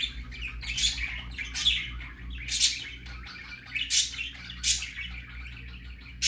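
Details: Baby budgerigar going out for the first time, giving spaced, thin, scratchy chirps about once a second, some with a sharp high tip, over a low humming background.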